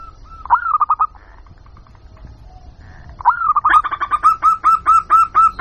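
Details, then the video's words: Lure call of a zebra dove, used to attract wild local doves: a brief rolling coo phrase, a quiet gap, then a sustained series of loud, rhythmic cooing notes. "Suara Pikat Burung Jitu Perkutut Jamin Nyaut Kutut Lokal"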